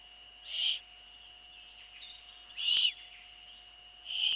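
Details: At an Eurasian eagle-owl nest, 28 April 2013, 21:12, the female arrives with a bird and feeds the young; three loud, hoarse hissing bursts come about every two seconds against a constant background whine.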